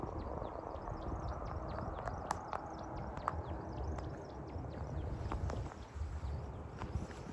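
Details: American woodcock at the height of its spring dusk display flight, giving a rapid run of sweet, high chirping notes that dip and rise, with a few sharp clicks over a low background rumble.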